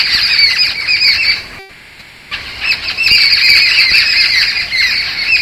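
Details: Resident Jungle Babbler flock at Satpura, alarmed by a person approaching, giving distress calls. Loud grating squawks from many birds, dropping out for under a second midway, then resuming as a harsh continuous chorus.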